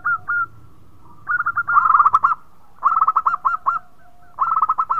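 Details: Local zebra dove giving its song, said to trigger other birds' singing; separate coos then three dense bursts of rapid rolling notes, with a faint lower steady tone between them.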